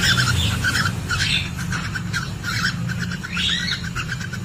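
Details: Cockatiels recorded by a CCTV camera inside a nest box where a hen is laying eggs, giving mating sounds: bright chirps and short rising whistles repeated in quick irregular bursts over a steady low mechanical hum.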